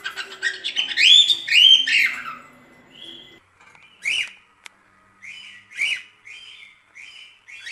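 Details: Cockatiel song for teaching a cockatiel to sing: a loud, wavering warbled phrase opens, then comes a string of short, softer whistled notes at irregular spacing.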